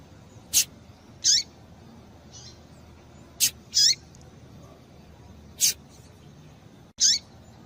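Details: Calls of a female double-collared seedeater, used to get males singing: high, quick downward-sliding chirps spaced a second or more apart, with separate sharp clicks and faint softer notes against steady hiss.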